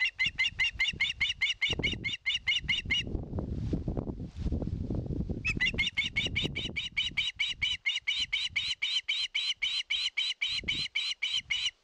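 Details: An osprey at its nest in Satakunta, Finland, filmed by live camera in 2022, begs for fish with long runs of rapid, piercing whistled chips, interrupted midway by loud wing flapping and rustling at the nest.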